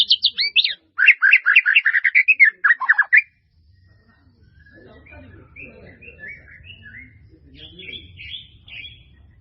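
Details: White-rumped shama pouring out a dense, rapid string of varied chirps and trills for about three seconds, followed by faint, scattered high notes over a low background hum.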